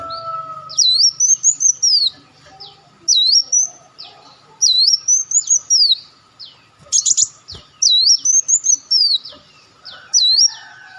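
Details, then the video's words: Olive-backed sunbird lure calls: repeated high whistled swoops with trailing chips, five phrases in eleven seconds, broken once by a short harsh buzzy burst. A steady faint tone sits in the background. "audio pancingan burung madu Wulung/Muncang"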